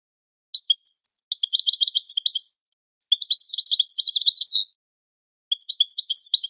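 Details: Training song of a European goldfinch, played for pet birds to learn: a few sharp introductory chirps lead into long, dense twittering phrases of quick tinkling notes and buzzy rolls, with a further phrase starting after a pause.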